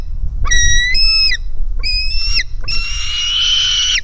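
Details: A hungry white-tailed eagle chick at its nest, jumping toward its mother on 4 July 2018, gives three thin, high, piping begging calls, the last long and drawn out, over a low rumble of wind.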